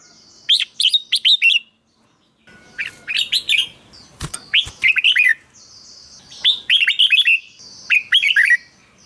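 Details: Caged red-whiskered bulbul song for stimulating birds: lively phrases of rapid looping whistles, about five bursts over nine seconds, with a couple of sharp clicks or knocks midway.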